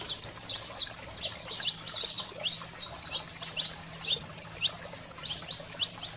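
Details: Saffron finch recording for stimulating pet canaries, with a busy stream of high chirps and down-slurred notes that thins out toward the end, over a steady faint low hum.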